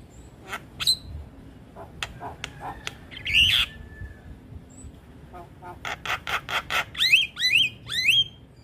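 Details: Javan myna song used to lure other mynas into responding: scattered clicks and a harsh squawk, then a quick burst of rattling notes and three rising whistled slurs near the end.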